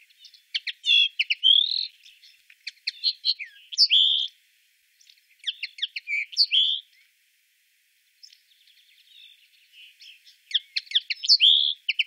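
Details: Common linnet singing in Wittlich, Germany, 2018: a long, varied twittering song of rapid chirps, short trills and bright whistled notes, delivered in several bursts with a short pause midway.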